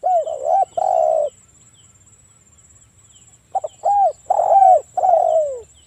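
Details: Provoking call of a spotted dove in breeding condition, used to trigger other doves: a hurried pair of coos, a two-second silence, then several arched coos ending in a long slurred downward note, with a faint high whine.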